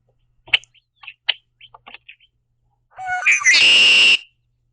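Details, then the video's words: A Red-winged Blackbird eating sunflower seeds at a backyard feeder in the Niagara region, Southern Ontario, spreads its wings and calls: scattered high chips, then a rising gurgle ending in a loud, buzzy trill, its conk-la-ree. "A Red-winged Blackbird Making Some Sounds"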